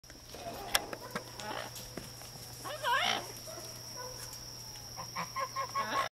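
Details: A visiting Green-winged macaw flying across a backyard gives a harsh, raucous squawk midway, then a few shorter rough calls near the end, over a steady high whine, low hum and scattered clicks.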